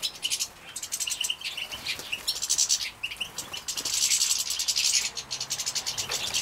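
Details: Young European goldfinches bred in captivity in Poland, 2017, at feeding: quick, high chirps and short tonal notes alternating with stretches of dense, hissing chatter.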